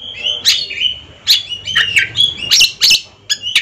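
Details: Captive ringed Oriental magpie-robins in a singing duel between two birds: loud bursts of sharp whistled and buzzy notes, some ringing near steady pitch, others falling slurs, in clusters roughly every half second, with short pauses between.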